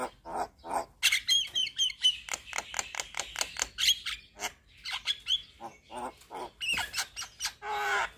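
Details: Javan myna singing actively while head-bobbing, a full song packed with filler phrases: rapid harsh broadband notes about four a second, mixed with short whistled slurs near the top of the range and scratchy chatter.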